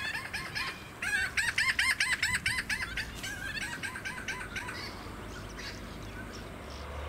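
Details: Australasian swamphen at a small artificial lake on the Sunshine Coast, Queensland, in November 2017: a rapid run of about a dozen harsh, nasal, arched notes over two seconds, then softer trailing calls, with wind and suburban noise behind.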